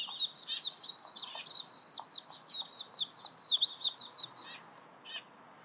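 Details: Warbling white-eye singing a rapid, high, twittering phrase of jumbled warbled notes for about four seconds, then a short pause and a final brief note; quiet background.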